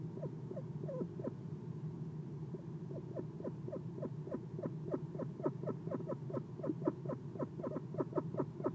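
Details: Eastern screech owl at a nest box at night in November, perched and giving soft chirps: a long series of short downward-sliding chirps repeated several times a second, with a steady low hum underneath.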